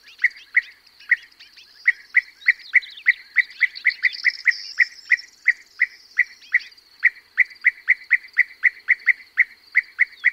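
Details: A perched European bee-eater, recorded close up, gives short, rolling, mellow calls about three times a second while others call in flight, with larks' high continuous trilling and a corn bunting jangling behind.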